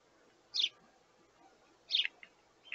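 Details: Sparrow chicks begging their parents for food: two harsh, noisy chirps about one and a half seconds apart, then a fainter short note near the end over quiet background hiss.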